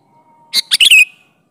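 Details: Sooty-headed bulbul singing a single brisk wild-style phrase for luring bulbuls: three quick bubbly notes with a lengthened, falling slur at the end. A faint steady whistle tone precedes it.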